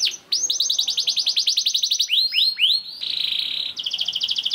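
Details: A young canary sings fast, with rapid runs of high, down-slurred notes, about three to four a second, that shift into buzzy, rolling trills.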